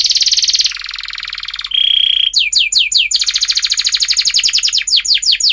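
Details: Energetic, long-singing canary, sung as a lure to teach young canaries their song: a buzzy high trill, a short pure whistle, then rapid repeated downward-sweeping chirps running into a dense, ringing trill.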